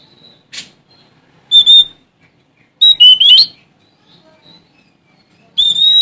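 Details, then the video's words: Male Sumatran Oriental magpie-robin singing to challenge a rival: short, separated bursts of loud clear whistles and quick slurred notes, with brief silent gaps between phrases. "Suara Asli Kacer Sumatra Gacor Cari Lawan"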